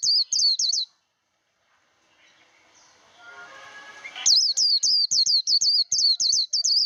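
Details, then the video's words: Japanese white-eye in song training: a short burst of high, rapid slurred whistles, a pause with faint lower rustling tones, then a longer, fast, regular run of shrill whistled notes. "Vành khuyên líu đấu. kích lửa vành khuyên líu đấu"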